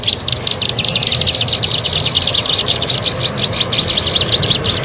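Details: Bar-winged prinia lure sound: a rapid chatter of high, sharp chirps delivered nonstop over a faint hiss of background noise.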